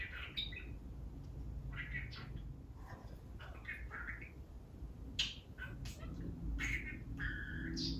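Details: A pet male budgie talking spontaneously with a wide variety of phrases, kept in a cage: quiet, rapid chattering syllables and squeaky notes in irregular bursts over a steady low hum.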